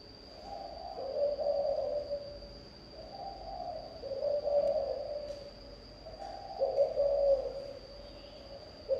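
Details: Low, mellow cooing of a spotted dove in the 'thổ âm' style, each drawn-out phrase rising slightly then trailing off, repeated at a slow, even pace with a constant thin tone behind.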